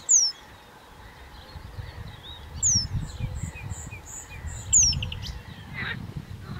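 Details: Juvenile Eurasian penduline tits feed along the bank of Zámecký rybník in Chropyně, 3 July 2019. Three thin, high, falling whistles come about two seconds apart, with soft twittering and a low rural background rumble.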